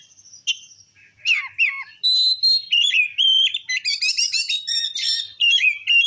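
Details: Oriental magpie-robin in full, energetic song used to provoke other magpie-robins: a rich varied stream of whistles, trills and sweeping slurs, growing denser and louder toward the end.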